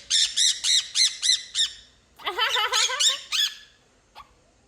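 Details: A pet monk (quaker) parakeet gives a quick run of six harsh, arched squawks, then a warbling, stepped chatter and one last squawk, while its owner nearby asks it to laugh.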